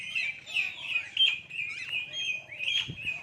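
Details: Common hill myna talking in human language, a busy run of high, slurred whistles and chirps about once a second, with a faint low hum underneath.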